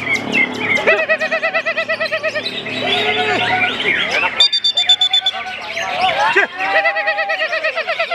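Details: Greater green leafbird singing at a songbird contest, the Kapolresta Cup in Banyumas; a loud, nonstop, varied song of rapidly repeated whistled notes and chattering trills, broken by bursts of high metallic ringing notes.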